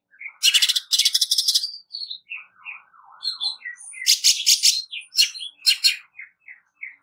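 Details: Rough, fast song of a greater green leafbird used as a training recording: loud rattling bursts open, then soft warbled lower notes and short whistles, followed by more harsh chattered notes.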